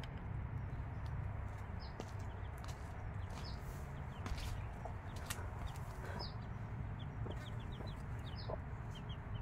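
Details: Chicks aged five days beside a mother hen give scattered high, descending peeps, in small bursts and in single notes, mixed with sharp clicks and taps against a constant low rumble.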